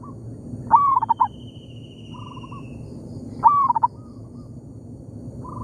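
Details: Zebra dove in an oil palm plantation answering a decoy bird: two loud phrases, each a slurred rising coo followed by rapid staccato notes, with quieter, distant coo trills between them.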